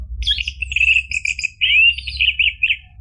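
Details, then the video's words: Lure song from an orange-headed thrush for a silent caged bird: a quick flowing phrase of rich whistles and trills with a clear rising slur, low hum beneath. "PANCINGAN ANIS MERAH biar bunyi NYAUT JADI GACOR NGEPLONG ampuh buat terapi macet bunyi"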